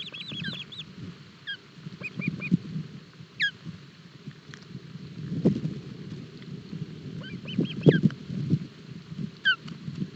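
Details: Osprey chicks at a Barlinek Forest nest during breakfast feeding on 07 July 2022, live nest camera, fish too large for them; sparse high, short whistled chirps, some in quick bursts, over heavy low rumbling and rustling.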